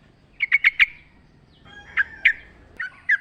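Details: Yellow-vented bulbul singing in a wild-style natural recording used as a lure to keep caged birds singing: four quick bubbly notes, a pause, then scattered liquid, slightly descending phrases.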